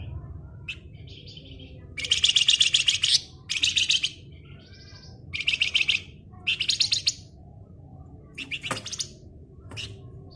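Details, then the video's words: Flamboyan in active ngebren song: repeated bursts of rapid, harsh, buzzy high chatter, several each a second or less, with a short sharp note between them, over a steady low background hum. "Raja Ngebren Burung Flamboyan Gacor"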